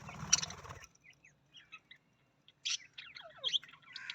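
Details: Australian parrot voice: a burst of noisy chatter opens, then after a short pause a string of sharp chirps, scratchy squeaks and a couple of loud harsh notes.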